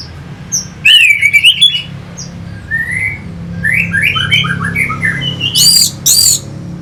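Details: Anis merah, the orange-headed thrush, singing near Singaraja, Bali, as a stimulus for fighting birds: a bright whistled flourish, then a run of short descending warbled notes, closing with two piercing high shrieks.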